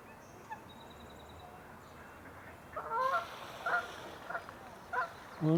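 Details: A Canada Goose at ch'atlich Marsh, British Columbia, on the morning of 1 May, where geese with five goslings are present, gives a burst of loud nasal honks, about five in under three seconds, after faint high bird notes and low rumble.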